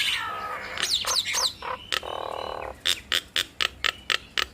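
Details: Duetting Nias hill mynas, played to draw a quick response from other mynas: falling whistles and a rasping burst, then a steady series of sharp clicks, about four a second.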